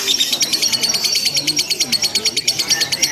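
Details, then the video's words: Lovebird in a simulated contest, chattering without a break: quick, evenly pulsed high chips about three per second, with a faint low murmur underneath. "LOMBA LOVE BIRD TERBARU 2025 NGEKEK TANPA JEDA DURASI PANJANG"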